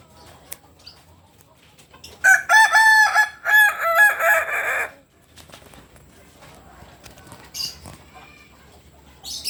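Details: Kukuak Balenggek rooster, native to Solok, West Sumatra, delivers a loud crow of repeated stepped syllables over roughly three seconds, the notes rising and dipping in a chained pattern, followed by quieter background sounds.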